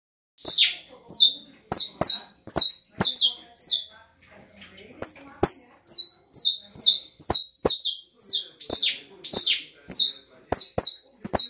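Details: Canary singing in the estralado style: loud, sharp high notes, each falling quickly, repeated in rapid bursts roughly twice a second with brief pauses, and a faint low hum behind.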